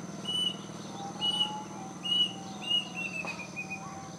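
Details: Afternoon calling of a plaintive cuckoo perched in a mango tree near a house: a run of high, clear whistles every half second or so, ending in a slightly falling, quicker pair, with a faint lower whistle and a click.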